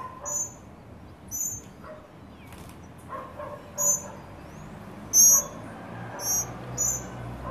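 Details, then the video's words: Tropical mockingbird family with young birds at a birdfeeder in Trinidad, in the Caribbean. Short, high, thin squeaky notes come one after another at uneven gaps over a low background hum, with faint lower sounds in between. "Tropical Mocking Bird Family at the Feeder"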